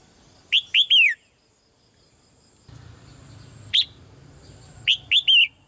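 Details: Soft calls of a caged female red-whiskered bulbul, meant to spur a male into louder song: a burst of three whistled down-slurred notes, a lone note, then three more, over a faint low hum.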